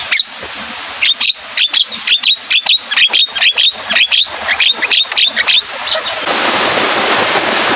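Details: Caged Javan myna singing in the rainy season, stirred to sing by the sound of rain; rapid series of sharp, clicking, chattering notes repeated about three times a second for six seconds, then steady hiss of rain or noise.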